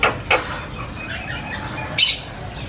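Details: Javan myna chattering loudly in a varied run, heard as a few sharp, high, clipped notes spaced about a second apart over a steady low background hum.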